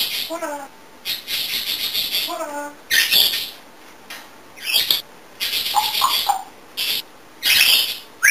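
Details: Chatty pet African grey parrot vocalizing indoors: harsh hoarse squawks alternate with short, tonal, downward-stepping notes, plus a few brief whistled chirps, in irregular bursts.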